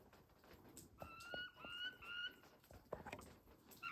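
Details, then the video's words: Wild turkeys recorded 26 September 2023 at a ranch near Westbrook, British Columbia, giving a run of three thin whistled notes that rise gently, amid tapping, rustling and footstep-like knocks. "What Sound Do Wild Turkeys Make?"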